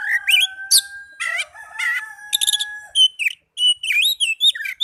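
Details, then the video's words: Oriental magpie-robin singing to lure caged birds: long held whistled tones under quick rattling and warbled notes, ending in a run of rising and falling sweet whistles. "Pancingan burung kacer agar cepat gacor"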